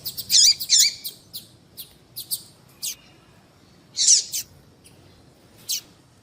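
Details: Papa-capim (seedeater) female piado meant to excite males into singing: sharp high chirps and brief clicks scattered irregularly, with a louder burst near the middle and a final thin note.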